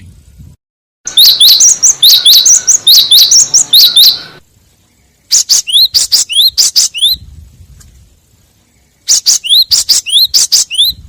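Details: Lure recording of a cinereous tit, a sharp song used to draw and provoke other tits: three bursts of rapid, high, chirping notes with upward-slurred whistles, separated by short quiet gaps, the first burst overlapping a hissy background.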